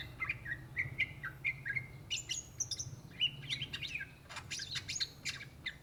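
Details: Greater green leafbird, locally called cucak ijo, native to Indonesia, singing lively (gacor): a run of clear whistled notes repeated about twice a second, then higher rising and falling whistles and sharp chattering bursts, over a faint low hum.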